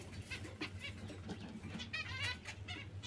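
Zebra finch giving short, nasal, trumpet-like beeps, about six in three seconds at an irregular pace, over a steady low hum.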